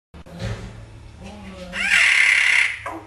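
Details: Pet common hill myna talking in Afrikaans, kept indoors; a harsh, speech-like babble that ends in a loud, buzzy, sustained high whistle lasting under a second.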